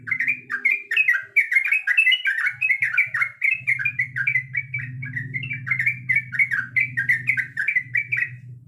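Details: Sooty-headed bulbul female calling the male during breeding: a loud, continuous stream of rapid, bubbly chirping notes, rolling on without pause, above a low humming background.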